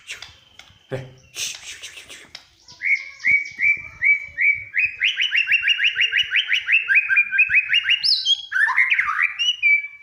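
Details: White-rumped shama in full song, said to prompt other birds into singing: varied whistles, then a long fast run of repeated rising notes, ending in sliding whistled phrases, with a few harsh clicks at the start.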